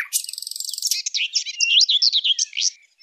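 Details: Sylvia warbler lure call for hunting warblers: a high, scratchy buzzing rattle for about a second, then a quick run of varied twittering, warbled notes.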